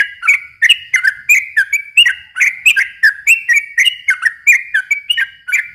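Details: Yellow-vented bulbul (trucukan) singing a long lure song meant for young birds: loud, fluty chirping notes tumbling one after another, rising and falling slightly in pitch, continuous for several seconds over silence.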